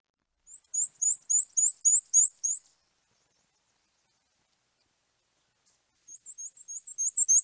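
Black-and-white Warbler singing a very high, thin series of squeaky two-note phrases, about eight quick repeats, like a squeaky wheelbarrow wheel; a second song follows after a pause.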